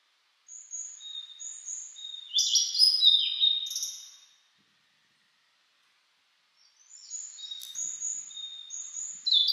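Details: Spring song of a blue-and-white flycatcher, cloudy 14°C mountain day after rain, 2022: high whistled notes building to a loud warbled burst, a quiet gap, then another series of bright high whistles.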